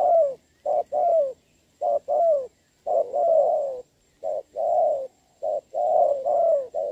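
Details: Spotted dove calling during a rainy decoy contest, dated 26 November 2022; dense run of mellow coos, short notes paired with longer slightly falling ones, about five couplets back to back.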